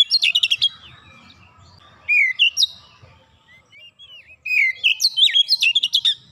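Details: Oriental magpie-robin (kacer) singing in the rapid 'nembak rapat' style meant to get raw birds singing. Quick bursts of sharp whistles alternate with quieter slurred notes, ending in a dense run.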